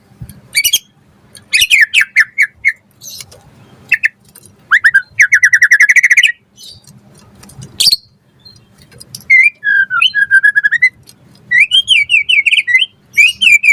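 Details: A white-rumped shama in full, varied song, offered as a lure and tutor for other shamas: rhythmic runs of clipped high notes, a fast trilled stretch, then looping whistled phrases repeated in rapid succession.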